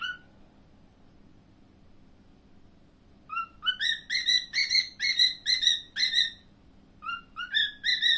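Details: Pet cockatiel: one rising whistle, a quiet pause, then a fast series of bright, repeated whistled chirps with rich overtones, pausing briefly before more rising notes; low background hum throughout.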